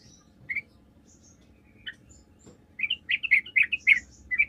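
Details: Lure recording of a Sooty-headed bulbul singing to provoke replies from other bulbuls: a few scattered single notes, then a rhythmic string of about seven bubbly, slightly slurred notes at even spacing, over a quiet low background hum.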